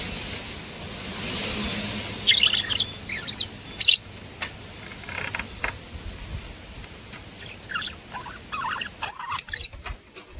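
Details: Two happy pet budgerigars outdoors, preening each other, give bright, scattered chirps and soft chatter over a steady high hiss.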